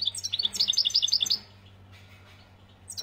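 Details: Algerian European goldfinch delivering a quick run of bright, high-pitched twittering notes for about one and a half seconds, then near silence with a steady low hum and a brief chirp at the end.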